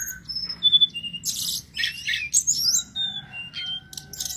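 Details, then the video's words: Sulingan gunung giving song meant for training other birds; separate high whistled notes and short buzzy chattering bursts, a couple of sharp bright slurs, with quiet gaps between phrases. "MASTERAN BURUNG SULINGAN GUNUNG| kicau gacor burung sulingan"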